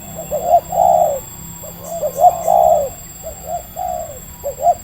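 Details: Wild local spotted dove from Indonesia, medium-voiced, heard during decoy luring: a few brief coos followed by longer, fuller drawn-out coo notes, then shorter ones again, clear against a quiet background.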